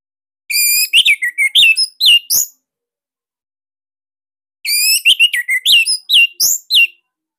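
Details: Bali orange-headed thrush kept in a cage, used as a loud, tight master song for other thrushes: two matching phrases of rapid whistled and chattering notes, about two seconds each, separated by a long pause.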